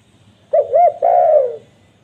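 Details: Single spotted dove phrase, used to lure wild doves: a quick coo, a wavering second coo, then a smooth, longer descending croo, clean and quiet.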